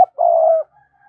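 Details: Single drawn-out, steady coo from a decoy spotted dove calling to attract wild doves, mellow and level, ending abruptly.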